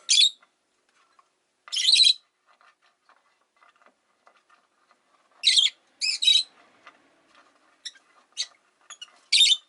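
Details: Rosy-faced lovebirds, five kept in a windowside cage, calling in loud shrill chirps and double squawks scattered irregularly among softer faint clicks and ticks.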